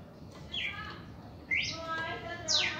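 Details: Reaction song from a red-crested cardinal: three swept notes, rising then falling, the last loudest and high-pitched, with some faint warbling in between.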